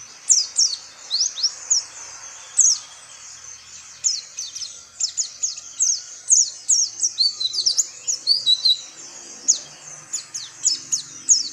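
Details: Oriental white-eye calls: a dense run of high, sharp, descending chirps, often in quick pairs and clusters, continuing for over eleven seconds with only short pauses, on a quiet background.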